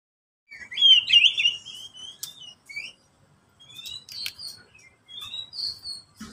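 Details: ['Pet oriental magpie-robin (kacer) singing as a lure for quiet birds: bright, varied whistled phrases and chirps, sliding up and down, broken by short pauses, with a few sharp high notes.']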